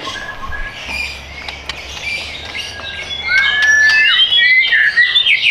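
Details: Caged white-rumped shama kept for sale in Bintaro, South Tangerang, Indonesia; quiet start with faint chirps, then loud, rising whistled phrases and sweeping slurred notes fill the last two seconds.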